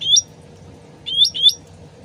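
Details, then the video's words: Sooty-headed bulbul original voice, used to draw a quick reply from other birds: a single clear upslurred chirp, then a pair of similar rising whistles, over quiet running water. "PANCINGAN CUCAK RANTING SUARA ASLI DAN GEMERCIK AIR CEPAT NYAUT"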